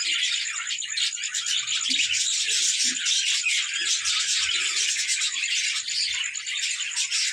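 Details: Budgerigars at play indoors, a busy stream of high, scratchy warbles and chirps running on without pause, with faint low knocks beneath.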